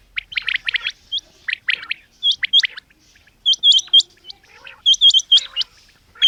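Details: Female batair, the common quail, giving clusters of quick high chirps and sharp upslurred whistles, the notes coming in little bunches separated by pauses of about a second.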